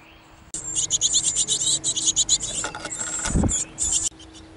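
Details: A busy family of great tits in a backyard on 5 May 2014 gives rapid, high, scratchy call notes in quick bursts for about three seconds, with a brief low thump partway through.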